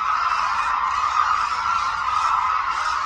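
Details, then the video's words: Short burst of hooded crane chorus from Suncheon Bay Wetland during an aerial display flight; many overlapping bugles merge into a loud, even roar. "흑두루미 울음소리"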